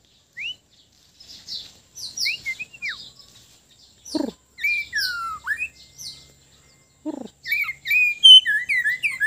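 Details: A White-rumped shama from Sabah, Borneo, singing at ease with spaced phrases. Clear whistles slur up and down between pauses, broken by two short harsh notes, and end in a quick burst of high twittering.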